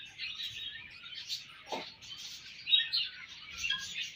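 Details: A budgerigar colony chirping in the morning: a dense, continuous chatter of high, scratchy chirps and warbles from many birds, with a few louder notes rising above the mass.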